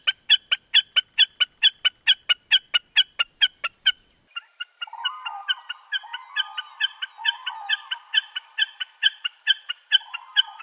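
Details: Common Snipe: a fast series of sharp, even, ticking calls, about two per second, for four seconds. Then a softer, wavering, bleating hum sweeps up and down beneath continued ticking notes.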